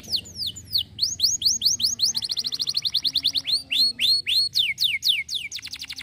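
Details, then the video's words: Canary singing as a model for quiet canaries: loud, high swooping notes repeated in tight series, speeding into a rapid rattling trill, slowing again to rounded falling whistles, and ending in a fine buzzy roll. A faint low drone is audible. "KENARI MACET BAKAL NYAUT DENGAR KENARI INI"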